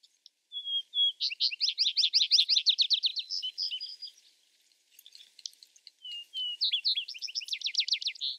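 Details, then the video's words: Two Vesper sparrow songs: short steady whistles lead into a long, even trill of rapid, downward-slurred notes, then fainter twittering before the pattern repeats. "Vesper Sparrow Bird Sound Bird Song"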